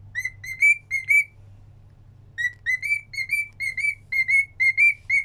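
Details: Pet cockatiel whistling a tune: clear whistled notes near one pitch with rich overtones, grouped in quick runs of short rising and level notes, a pause of about a second, then a longer run; low steady hum beneath.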